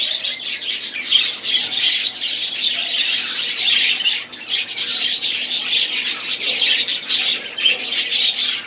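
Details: Several budgerigars warbling, a lively tangle of high chirps, rasping squeaks and trills that briefly quietens a little past the middle before the busy chorus resumes.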